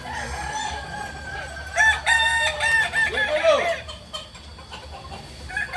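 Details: A Kokok Balenggek rooster at a joint crowing practice in Amko, Solok city sounds a loud stepped series of notes from about two seconds, ending in falling curved syllables, while another crow begins at the close.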